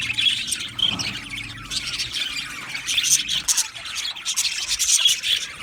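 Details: Chorus of budgerigars in a colony aviary, continuous high warbling chatter with scratchy squawks and short whistled notes overlapping throughout, plus a faint low hum at the start.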